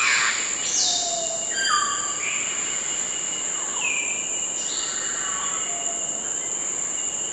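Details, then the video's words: African grey parrot giving a series of clear whistled calls, several sliding downward between high and mid pitch, spaced irregularly over several seconds, over a steady high-pitched insect-like hum. "Canto do Papagaio Cinza Africano Chamada de Pássaro"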